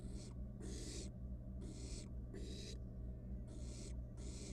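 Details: Wild barn owl nestling playing with food in its nest box; rough, noisy hissing calls of varied length follow one another rapidly, about every second, against a steady humming background.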